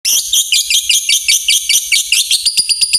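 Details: Lovebird ngekek song, used to prompt other lovebirds into long trills: loud, high, sharp whistled notes in a fast chattering series, quickening into evenly spaced piercing chips near the end.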